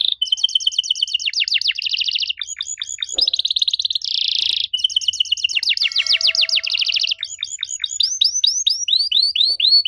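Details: Long varied canary song used as a lure for young canaries to answer: rolling buzzy trills, fast rattles, down-slurred sweeps and series of rising whistled notes, delivered continuously with only short breaks.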